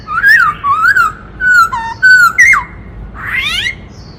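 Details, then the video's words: Multi-voiced black-throated laughingthrush song meant to stir other birds: wavering whistled phrases, steady fluted notes and a sharp downward slur, ending in a raspy rising flourish. "Khướu bạc má hót múa - Chim khướu hót đảo nhiều giọng hay kích bổi - Tiếng chim Khướu hót"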